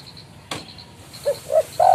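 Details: Spotted dove calling a rival, a call used to lure birds for trapping: after a sharp click, two quick low coos rise into the start of a longer held coo at the end, with faint background hum.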